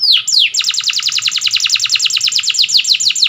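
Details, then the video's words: Canary singing a powerful training song: a fast, even trill of sharply descending high notes repeated about three times a second, preceded by two longer sweeping slurs. "Canary Singing _Canary's most powerful song for training _ الكناري"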